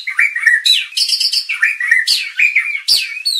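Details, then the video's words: White-rumped shama lure song for contest training: rich continuous phrases mixing low slurred whistles with sharp high chips and short trills, loud and lively throughout. "pancingan murai batu agar emosi bongkar isian"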